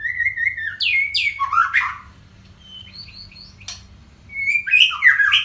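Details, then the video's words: White-rumped shama song in the style called Panji Semerang: whistled phrases near mid pitch, then bursts of quick sweeping and buzzy notes, a pause with soft short notes, and a final rich run of varied whistles. "Murai Batu (Panji Semerang)"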